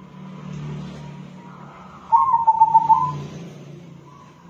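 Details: Soft-voiced local crossbred zebra dove delivers a brief run of rapid, rhythmic pulsed cooing notes midway through, set against a constant low engine-like rumble and hiss.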